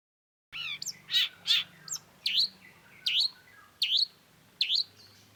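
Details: Long-tailed shrike, a lively singing bird in a masteran (tutor) song recording: varied high chirps, then sharp V-shaped whistled notes dipping and rising, repeated roughly every three-quarters of a second over a faint low hum.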